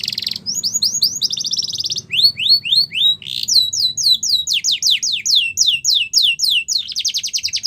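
A Yorkshire canary sings bright, high rolling trills, switching every second or so between phrases of rapid repeated whistled notes and quick downward slurs, over a faint low hum.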